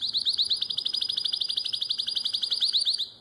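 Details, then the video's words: Canary singing nightingale-voiced style song, Drama, 2017: one continuous, very rapid high trill of sharply repeated notes lasting about three seconds, fading slightly at the close. "Αηδονόφωνο Καναρίνι"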